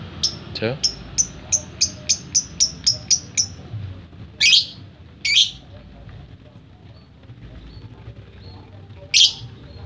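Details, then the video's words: Lovebird singing in the ngetik style: a quick run of about ten sharp, high, clipped chirps like typing, followed by three harsher, buzzy squawked notes spaced a couple of seconds apart, over a low background hum. "Lovebird kicau ngetik"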